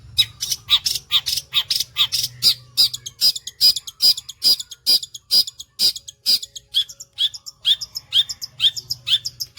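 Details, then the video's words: Long-tailed shrike singing vigorously, its rapid sewing-machine style delivery made of sharp, harsh notes repeated more than twice a second, some with short downslurred whistles, over a faint low hum. "CENDET GACOR MATERI TOP BOLO SPITNYA SPEK MESIN JAHIT"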